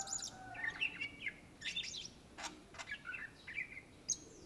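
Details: Greater green leafbird from Indonesia singing: chattering run of whistled notes and twittering slurs, interrupted by sharp clicks, with a continuous varied flow and faint low hum behind.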